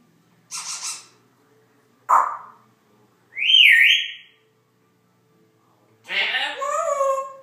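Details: Pet Congo African grey parrot making noises: a breathy burst, a short harsh note, a clear whistled rising-falling slide, then a warbling call with stacked falling tones; quiet gaps between each sound.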